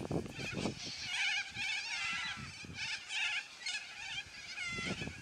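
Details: Yellow-crested cockatoos, a noisy flock, squawking: repeated harsh, buzzy screeches come in distinct bursts about every second, with occasional low thumps.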